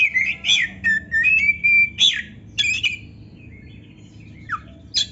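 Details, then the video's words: Oriental magpie-robin (kacer), a captive songbird whose song is meant to heat up rival males that will not sing: loud sweeping whistles and sharp burry bursts, a level sustained whistle, then softer fading notes and a steep descending slur. "TERAPI KACER GACOR DONGKRAK BIRAHI DAN EMOSI BUAT KACER MALAS BUNYI"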